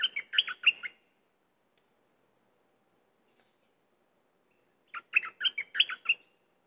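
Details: Two bursts of cream-vented bulbul song about four seconds apart, each a hurried series of five to seven gurgling, pitch-jumping notes.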